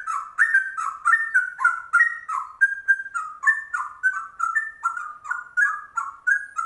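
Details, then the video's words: Straw-headed bulbul delivering ropel-style trucuk song, a long unbroken run of loud liquid whistles and gurgles alternating low and high, fast and lively, with a clean quiet background. "Trucuk langka ropelannya cucak rowo"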